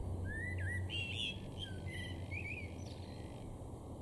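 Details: Common starling singing in a garden in Weener, East Frisia, far northwest Germany, April 2022: a jumble of slurred, rising and falling whistles with a few higher squeaky notes, over a steady low rumble of background noise.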